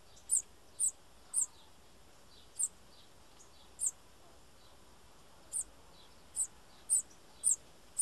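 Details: Bananaquit calling with high, sharp, thin notes in loose runs separated by short pauses, over a faint steady hiss.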